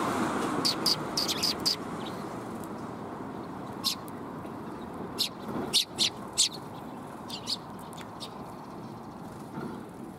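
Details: Sparrows arriving for food on a shrine's front approach in Japan, March 2021, giving scattered brief high chirps, some in quick pairs and triples, against a strong steady roar of background noise.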